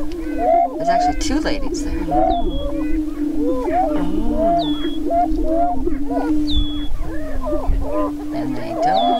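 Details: Spring mating dance of Greater prairie-chickens on a lek near Crookston, northwest Minnesota, on April 27, 2013. A continuous low droning chorus carries overlapping curved whoops, and thin high whistled notes come back every couple of seconds.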